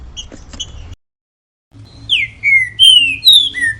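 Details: Green-winged saltator performing the grego mole boi song used for tutoring young and moulting birds: a phrase of clear, sliding whistles dropping in pitch, preceded by faint clicks and a steady low background hum.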